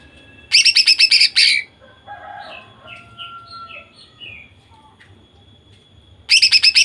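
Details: Female greater green leafbird singing to provoke males into song. Two loud rapid bursts of harsh rattling notes, each about a second long, separated by soft scattered chirps and a faint thin whistle.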